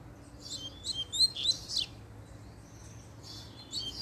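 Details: Male double-collared seedeater stirred up by a female, giving a brief cluster of high, thin whistled slurs and chirps, then near silence with a faint tone before a last short burst.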